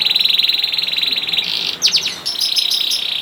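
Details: Young canary song meant to make other canaries sing: a fast, even trill of high notes, then a burst of sharp sweeps and a dense buzzy rattle.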